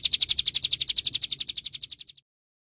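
An olive-backed sunbird gives a fast, high, thin trill of about twenty-five evenly spaced notes that slowly fades over two seconds, then stops.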